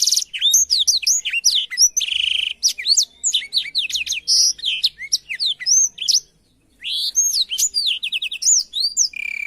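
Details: A Black-throated Canary sings as a tutor recording for canaries: a fast, varied warble of high, sweeping and trilled notes in long unbroken runs, with one brief pause.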